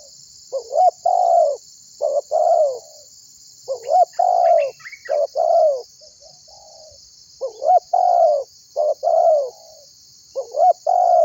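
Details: Spotted dove calling other birds to sing, used for trapping: repeated phrases of a rising short note and long falling coos, given in bursts with brief gaps, occasional faint chirps of other birds, and constant hiss.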